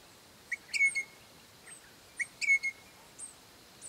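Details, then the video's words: A pair of Crimson Rosellas that lived on a property for years, calling their young: a short rising note then a long, level whistle, the phrase given twice about 1.7 seconds apart, with faint high squeaks above. "My favorite pair of Crimson Rosellas calling their young ones"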